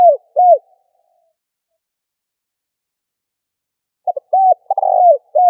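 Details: Spotted dove calling to stir decoy birds into answering: a phrase's closing arched coos, a silent gap, then a new phrase of short clipped notes, a rolling trill and a downslurred coo, in low mellow tones against silence.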